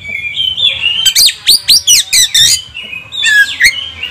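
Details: Oriental magpie-robin provoked into agitated singing: loud varied phrases with rising and falling whistles and rapid stacked sweeping notes in quick bursts, then more slurred whistles. A low hum is audible behind the bird.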